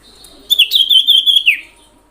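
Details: Common iora call used as a lure to provoke other ioras: a high, fast trill held near one pitch for about one second, then dropping at the end.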